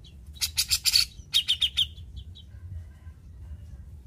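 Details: Grey-cheeked bulbul (cucak jenggot), a previously silent bird turned vocal, giving scratchy chattering bursts followed by a short run of sharp, high chips, then quiet.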